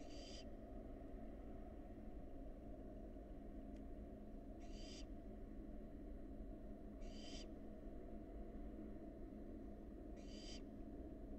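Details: Wild barn owl fledgling at a nest box making four short, sharp hissing screeches at regular gaps of about two and a half seconds, with one brief click and a steady low hum.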